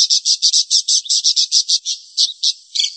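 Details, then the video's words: A budgerigar gives quick, scratchy high chirps, about five or six a second, ending in a brighter, more tonal squawk. "SUARA BURUNG PARKIT"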